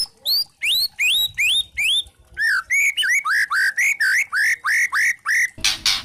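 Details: Lure recording of a white-rumped shama, spotted trotol form, meant to make other shamas sing: loud rising whistled notes repeated about twice a second, shifting to lower up-slurred notes, ending in a harsh rasp.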